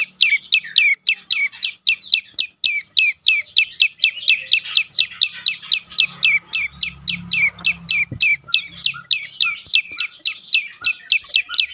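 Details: Prinia (prenjak lumut) giving a full 'dorr' song meant to coax quiet birds into singing; high, falling chip notes stream out quickly, about four per second, over a soft low rumble near the middle.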